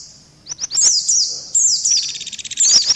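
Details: Combined lure recording featuring Indian white-eye: a few sharp high chips open, then bright descending whistled slurs repeat in quick bursts, with a faint buzzy trill running underneath later on.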